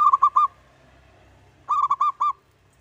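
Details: Local zebra dove in full song, used as a lure to prompt other doves to call; two bursts of soft, rolling cooing notes, three to four quick pulses each, separated by over a second of quiet.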